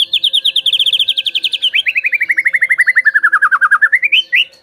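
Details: White-rumped shama song played as a lure to get other birds singing: a long fast series of clear repeated whistled notes, slowly falling in pitch, then rising at the end.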